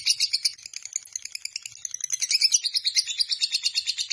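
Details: Lovebird called Biola in its long ngekek chatter, day and night: shrill buzzy pulses about three a second, starting uneven and settling into a steady rhythm.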